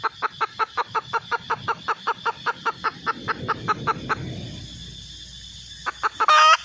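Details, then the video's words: Fast, regular clucks from a red junglefowl hen that stop after four seconds, with a low rumbling background and a loud harsh squawk at the very end. "suab poj qaib tsauj zoo heev"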